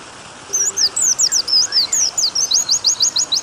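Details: Pleci (white-eye) master song in the long-firing 'nembak panjang' style, set with water sounds to prompt white-eyes to sing; rapid run of high, thin, slurred whistles, then an even series of sharp notes about four per second.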